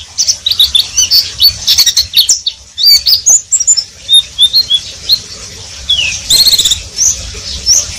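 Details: Pleci (Oriental white-eye) singing riwik-style: continuous, rapid, high twittering with jumbled chirps and short whistled slurs, nearly unbroken over several seconds.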